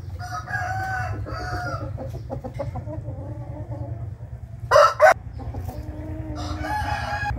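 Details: Morning rooster crowing on 8 April 2021: a harmonic crow near the start, scattered clucks and clicks, two sharp bright bursts midway, then another crow rising at the end, with a low steady hum throughout.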